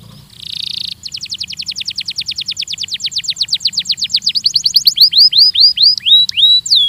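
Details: Belgian canary singing for training: a buzzy burst opens a long, steadily repeated trill of rising notes that speeds and then breaks into looping, swooping whistles.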